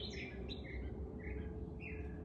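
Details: Mother swallow on a back porch in Texas country, defending her nest of five eggs and swooping close to a person; a few short, high twittering chirps scattered over a steady low hum.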